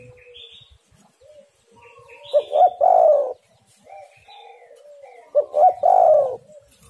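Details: Spotted dove in full voice, played as a lure to prompt other birds to call: two cooing phrases, each two short low notes then a long falling coo, with high thin whistles from other birds between them.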